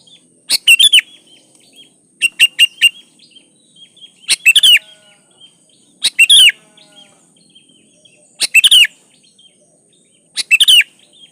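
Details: Sooty-headed bulbul, song meant as a lure to make bulbuls sing: six short phrases of clustered bubbly chirps and fluty slurs, repeated roughly every two seconds against near silence.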